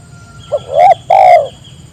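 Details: Spotted dove calling so that others join in, giving a brief soft lead note followed by two longer, rough, slightly falling coos in quick succession over a quiet background.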